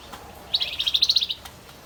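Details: Javan white-eye male singing actively, giving a single quick high-pitched trill of about a dozen evenly spaced sharp notes lasting under a second, against quiet background hiss.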